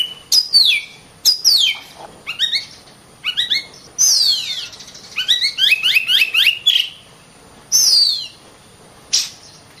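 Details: Oriental magpie-robin kept as a caged contest songbird, delivering varied song: falling whistles, quick rising stepped chirps in rapid runs, and sharp scratchy notes between pauses.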